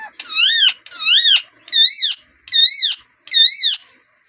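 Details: Native rose-ringed parakeet, kept as a talking bird, repeating five loud, tonal, arched calls, each rising then falling, spaced about every three-quarters of a second.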